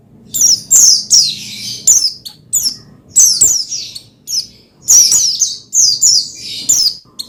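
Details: Pleci, the Oriental white-eye, in energetic song used to rouse another pleci: nearly continuous high, downward-sliding chirps and twitters in rapid bursts, with few pauses.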